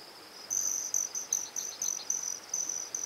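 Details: Broad-tailed hummingbird (Selasphorus platycercus) at Hewlett Gulch Trail, Colorado: a thin, very high, metallic buzzing trill broken into short bursts a few times a second, over faint background hiss.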